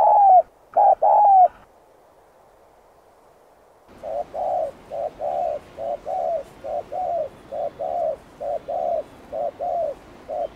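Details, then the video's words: Spotted dove calling to lure wild birds: two loud clipped coo phrases, a short pause, then a long, quieter, fast run of paired mellow hoots repeated at a steady pace. "Tiếng cu gáy Thúc Gù kích bổi cực nhạy"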